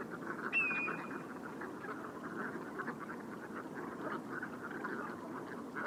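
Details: A distant flock of brent geese at evening (around 7 pm) on a rising tide at Andernos-les-Bains, Arcachon Bay, France, keeps up a steady, low, guttural murmur of overlapping rolling calls, with one clear whistled note near the start.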